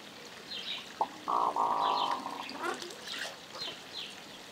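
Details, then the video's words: Kept hooded mergansers in courtship display, spring 2015, several birds. A low, rolling, frog-like croaking purr lasts about a second after a short lead-in note, while high chirping notes from other birds repeat in the background. "Hooded Merganser Display"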